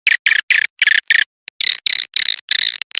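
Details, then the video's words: Edible-nest swiftlet call for attracting swiftlets: a string of quick chattering chirp bursts, about three per second, with one tiny tick in a short pause midway. "suara panggil burung walet"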